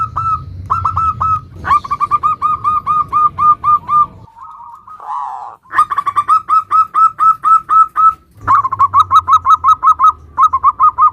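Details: Local zebra dove in full song, 'nutut' style variations used as a lure to make other zebra doves sing: rapid runs of short cooing notes at steady pitch, about two per second, a brief noisy break midway, then more runs.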